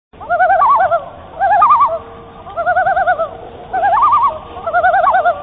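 A loon gives five rapid, quavering bursts, each about a second long, in wavering mid-pitched tones over a faint background hiss.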